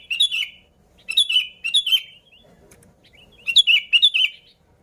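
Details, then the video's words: Sooty-headed bulbul song for luring bulbuls: bubbly phrases of several quick falling notes, repeated in three bursts with a quiet gap of about two seconds before the last. "Suara Burung Kutilang Gacor ASLI Tanpa isian, Ampuh untuk Pikat Kutilang bikin kutilang Ribut gacor"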